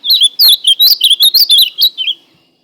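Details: Song of an ultramarine grosbeak: a fast, fluid string of about eleven clear slurred notes, some swooping high, the phrase lasting around two seconds and closing with two lower, softer notes.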